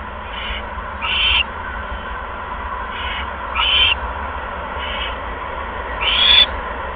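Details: Owl nest cam, 16 February 2015, 8:38 PM, a second mouse being brought in; alternating faint and louder harsh hiss-screeches, the loud ones roughly every two and a half seconds, over low hum.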